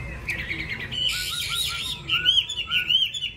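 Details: Caged Chinese hwamei with a yellow bill, singing a dense burst of bright warbles followed by clear, slightly descending whistled slurs, over a low hum.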